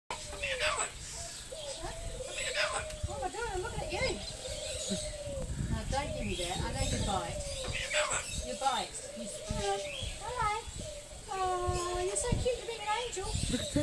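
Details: A talking corella at Silverton, New South Wales, recorded 25/6/10, gives a long run of speech-like, warbling phrases with wavering, voice-like tones, rising and falling bends and a few clear rising whistles near the end, over steady outdoor background noise.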